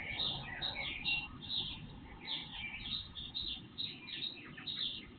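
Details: Several birds singing before sunrise, recorded on an IP surveillance camera with boosted volume; dense overlapping high chirps and short whistled notes, several per second, over a steady low hum.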